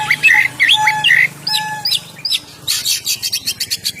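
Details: Oriental magpie-robin in ngeplong song meant for luring birds: looping whistled phrases and short tonal notes, then a dense burst of rapid scratchy chirps. A faint low hum runs through the first half.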